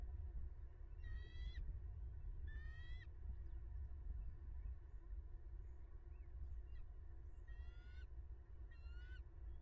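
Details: Bald eagle at a nest in Southwest Florida, watched by a nest camera on 20 January 2022 at 14:26; four bursts of rapid, stacked, chattering notes, each under a second, over steady low wind rumble.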